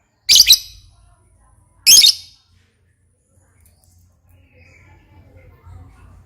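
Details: Lovebird praised as especially fine and gacor, a lively, constantly vocal bird: two loud, harsh, shrill screeches about a second and a half apart, each a short doubled burst, followed by quiet with faint low rumbling.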